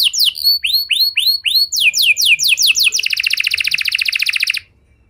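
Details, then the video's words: Canary lure song for prompting other canaries to sing: several drooping whistled notes, then quicker descending sweeps, ending in a fast, even, buzzy roll that stops abruptly. "Pancingan Suara Burung Kenari Lagu Unik! Buat Kenari Mana Saja Pasti Ikut Bunyi"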